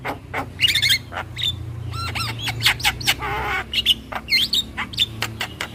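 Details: Javan myna lure calls over a steady low hum: assorted chirps, hooked whistles and harsh chatters, including a buzzy grating note in the middle, delivered irregularly.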